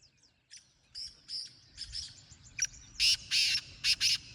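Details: Black francolin in the wild, its loud rasping phrase coming near the end: a short note, two drawn-out harsh bursts and a final clipped pair. Thin high chirps from smaller birds and low rumbling background come before it.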